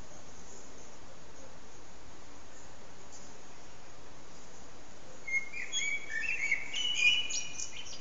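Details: Evening song of a common blackbird at sunset, captured on an HTC Desire phone: after five seconds of near silence, a clear whistled opening note followed by a tumbling run of mellow warbles and thin squeaky twitters.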